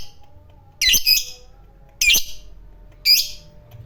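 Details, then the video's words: Fighter lovebird sounding as a lure for other lovebirds: three short, rasping, chattery bursts about a second apart, loud against a quiet background with a soft low hum. "Pancingan Lovebird fighter Ngekek Panjang,Suara Burung Lovebird Gacor Ngekek Panjang"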